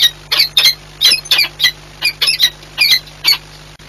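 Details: Peregrine falcons at Orlen Płock, Poland, on 8 March 2022, meeting in courtship: spaced, harsh squawking notes in small clusters, with a quiet steady hum behind them.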